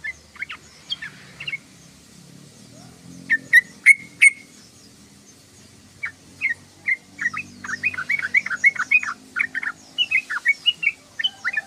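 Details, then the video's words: Trucukan, the sooty-headed bulbul, chattering: scattered sharp chirps, a pause, then a long lively string of quick bubbling notes repeated in clusters, clean background. "SUARA BURUNG TRUCUKAN❗❗❗TRUCUKAN NGOCEH❗❗❗TRUCUKAN NGERIWIK❗❗❗"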